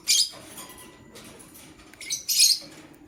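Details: A male lovebird choosing a partner gives two loud, harsh high chirp bursts about two seconds apart, with quiet hiss between.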